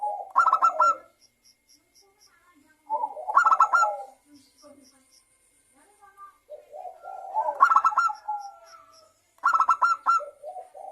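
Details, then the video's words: Zebra dove lure song, played to get other doves to sing: repeated phrases of a low rolling coo followed by a rapid burst of bright clipped notes, about every three seconds, with quieter soft coos between. "perkutut lokal gacor suara pancingan perkutut agar bunyi"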